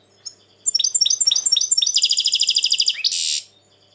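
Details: European goldfinch in 2020, described as very tense at present: a rapid run of repeated high chirps speeding into a dense rattling trill, ending in a short harsh buzz.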